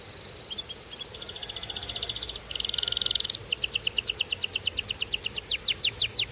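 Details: Canary song starting with faint notes, then buzzy rolled trills followed by a long, steady train of quick descending whistled notes rising in volume.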